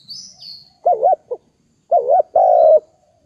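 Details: Dove giving wavering double-humped coos followed by a long steady coo, after a brief high thin chirp from another bird at the start.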